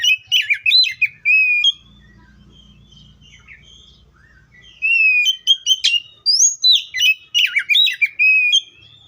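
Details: Oriental magpie-robin opens with a quick jumble of whistled slurs. A few quieter seconds with a faint low mechanical drone follow, then a long animated passage of varied clear whistles and rapid notes.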